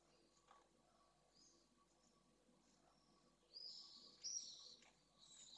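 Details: Near the nest at Esclavas de Jerez in Jerez de la Frontera, a pallid swift pair comes back late in the evening. A couple of shrill, buzzy screams burst out midway, rising in loudness, after a near-silent start with faint hum.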